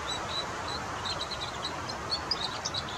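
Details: Red crossbill singing in the wild: a steady run of short, high chirping notes, some slightly rising, repeated several times a second over a soft background hiss.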